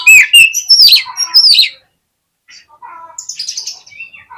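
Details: Oriental magpie-robin song played to provoke a fighting response and tail-spreading in lazy birds. Loud, rich phrases of sweeping whistles and chirps run for nearly two seconds, then after a short pause come quieter, scratchy warbles.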